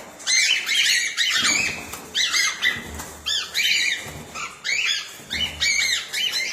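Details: Cockatiels kept together in a colony-breeding aviary, a dense chorus of shrill, overlapping chirps and upswept whistled calls repeating in bursts about every second, with wing flutters and cage rattling underneath.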